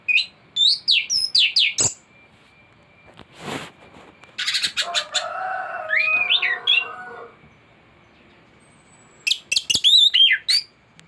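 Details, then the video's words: Thrush song from a tutoring recording meant to prompt caged thrushes to sing and loaded with varied material: bursts of high, sharp whistled and slurred notes, a stretch of lower warbled phrases, then another run of quick high whistles. "Anis gacor teler isian komplit materi masteran burung anis pancingan bunyi"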